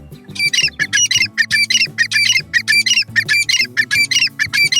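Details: Francolin in the breeding season giving a loud, heavy territorial call that warns other males off and attracts females; harsh, high squawking notes repeated in rapid bursts, roughly twice a second, over a steady low hum.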